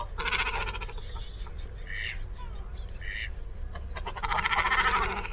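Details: Great Cormorant calling: rough, guttural, broadband calls in irregular bursts, several overlapping, with a steady low rumble of background noise throughout.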